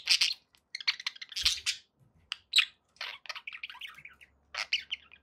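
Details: Pet budgies call in short clusters of high chirps and squawky notes separated by brief pauses, ending in a quick warbling series.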